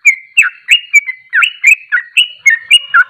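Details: Sooty-headed bulbul (trucuk) in rapid ropelan song, pouring out clipped whistled phrases about four per second, each note swooping down or up, with no other sounds.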